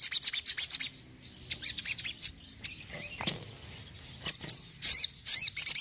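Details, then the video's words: A sogon sings a fast run of high, thin chirps and sweeping whistles, some bursts trilled, with short pauses between phrases. "TEMBAKAN SOGON"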